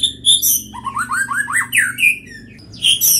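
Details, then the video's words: Quick-responding white-rumped shama in full song, a run of rising whistled slurs in quick succession mixed with very high twittering notes, a low constant hum underneath. "murai batu cepat respon dan bunyi"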